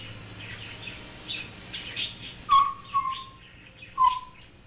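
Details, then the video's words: Pet African grey parrot talking, barking and making other noises; clear whistled notes near the middle and end, flat and slightly falling, between softer chattering sounds in a quiet indoor room. "African Grey talking and making sounds"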